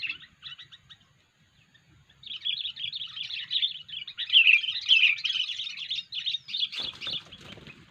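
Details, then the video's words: Sooty-headed bulbul used as a lure to attract others: dense, buzzy chattering calls in a steady run from about two seconds on, preceded by short scattered chirps, with a burst of broadband noise near the end. "poin kutilang suara aneh"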